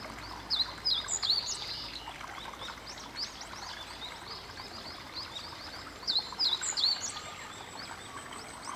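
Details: At a Tōshō-gū shrine on a Sunday, a meadow bunting sings from a cherry tree bearing early cherries: two brisk phrases of high, sharply slurred chirps about five seconds apart, with soft distant twitters and constant background hiss.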